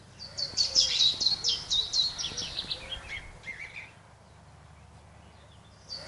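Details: A Willow Warbler in the UK, from a BBC Springwatch episode broadcast in June 2013, gives a mixed song. Its sweet descending phrase runs together with repeated high, quick two-note chiff-chaff notes, then a pause over faint hiss.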